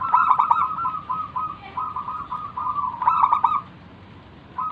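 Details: Local zebra dove, used as a lure to get other doves singing, gives rapid stuttering coo trills followed by wavering, rolling cooing notes, repeated twice before falling quiet.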